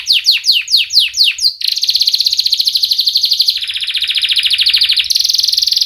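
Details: Canary song offered as a lure for young canaries learning to sing: fast, dense, sharp chirping. Quick downward-sweeping whistled notes give way to a long, even, rolling trill that shifts pitch midway and again near the end.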